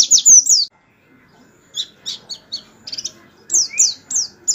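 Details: Canary-style 'tembakan' song used as tutor song for training white-eyes, meant to make them answer and sing as in the wild; a high buzzy burst opens, then after a pause short high rising-falling chirps come in quick clusters.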